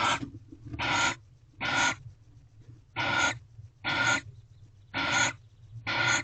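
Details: Grating, breathy shrieks from barn owls mating in an owl box in a corral, dawn of 24 February 2023, repeated about once a second over a soft low hum.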